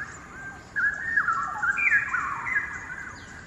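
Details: Two straw-headed bulbuls rest on a hanging branch at the far end of a quarry in Singapore, one singing at a distance, its voice echoing off the quarry walls: rich, rapid, warbling phrases of bubbly whistles tumbling up and down.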